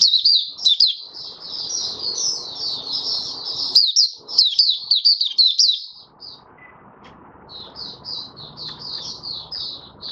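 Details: Oriental white-eye kept in a cage, singing 'buka sing' on 20 January 2022, fifth day after monthly deworming: fast, dense strings of thin high chirps for six seconds, then sparser notes over faint background murmur.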